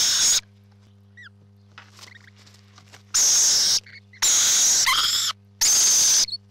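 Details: Rainbow lorikeets at a nest: piercing harsh screeches in uneven bursts, with soft twittering and scratchy sounds in the pauses and a low steady hum.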